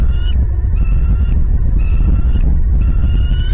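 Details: At a Southwest Florida bald eagle nest on 28 December 2021, the day the second eaglet hatched, four high, thin, squealing notes are heard, each about half a second and roughly a second apart, over a heavy low rumble of wind.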